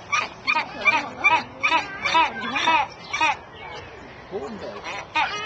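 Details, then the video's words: Unidentified birds at Paulton's Family Theme Park, UK, on 14 April 2011 give harsh, nasal squawking notes, about two to three a second, in short bursts with brief pauses. Faint background voices. "Best bird noise EVER."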